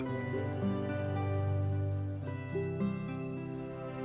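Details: Gentle instrumental music with sustained low tones and soft plucked notes changing pitch every second or so, and no animal voice.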